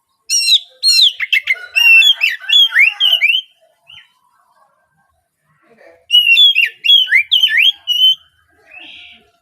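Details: Morning prompt song of an Oriental magpie-robin, aimed at getting untrained speckled youngsters to sing sooner. A long run of varied whistles, rapid chips and downslurred notes, then a pause, then another whistled, swooping phrase.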